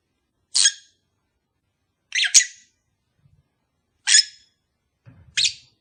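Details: Pet lovebird pair, calls intended to encourage mating: isolated sharp high chirps about every one and a half to two seconds, with a faint low rustle near the end.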